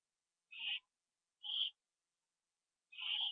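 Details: Owls return to their nest at 7:08 PM, September 27, 2011, seen on a live nest camera. Three spaced, buzzy, hissing screeches about a second apart.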